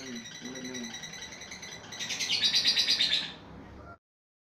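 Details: Long 'ngekek' trill from a fighter lovebird: a soft, high chatter that swells into a loud, rapid, buzzy rattle for about a second and a half, then fades and stops abruptly.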